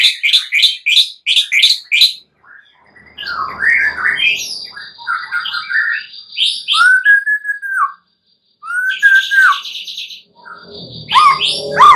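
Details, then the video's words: A white-rumped shama at night, its song used as a lure for active, sustained singing: rapid high trilled bursts, scratchy notes, then clear arched whistles with pauses and a final harsh chatter. "Pancingan murai batu MALAM HARI agar GACOR dan NGEPLONG"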